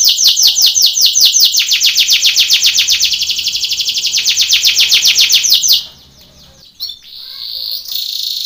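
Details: Training song for contest canaries from a Belgian canary, a long rapid rhythmic trill of sweeping notes, then a pause and short high buzzy phrases.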